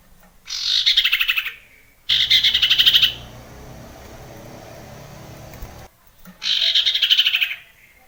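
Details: Common iora song, presented as a wild nature recording played to spur lazy male ioras into singing. Three bouts of rapid, buzzy trilled notes each sliding slightly downward, each lasting about a second, separated by steady background hiss.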